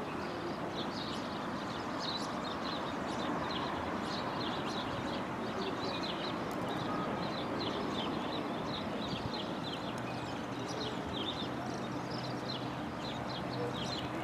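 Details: African palm swifts (Cypsiurus parvus) flying around the trees in Palm Tree Park, Windhoek, Namibia, give thin, high screeching notes in quick, uneven bursts, several birds calling at once over a steady roar of traffic or wind.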